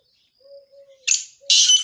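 A male black francolin gives two loud, harsh, grating notes about half a second apart, after a few faint low hums.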